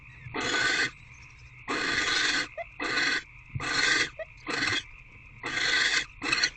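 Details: Barn owls at a nest box on 16 February 2024 as food is brought in, with bonding between the adults and an owlet nearby: seven loud, noisy hissing bursts of about half a second each, separated by quieter pauses, over a steady faint hum.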